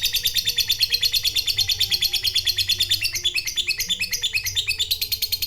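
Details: Long ngekek from a fighter lovebird, used to stir a rival bird into answering. Shrill, rapid notes repeat about three times a second in an unbroken, even chattering trill, with a faint low hum beneath.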